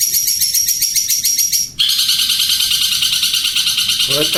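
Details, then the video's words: Champion long-tailed shrike of the Madura type singing a continuous high, rapid, grating trill that breaks briefly and resumes, closing with a few lower notes. "SUARA Burung Pentet / Cendet juara 1 Gacor"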